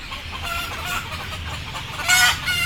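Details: Sleepy, frightened chickens waiting to go on board; a low murmur of soft clucks, then one louder harsh squawk near the end over a steady low hum.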